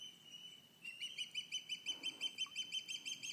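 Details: Morning alarm calls of ospreys at Cleawox Lake, recently fledged young and adults near the nest: a regular chain of sharp, high whistled chirps, about five per second, after a brief sustained thin tone.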